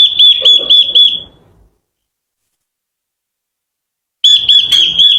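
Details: Japanese white-eye song played as a lure for provoking birds and training voices: a quick series of sharp, high whistled notes repeating about four per second, a long silence, then the same rapid whistled series resumes.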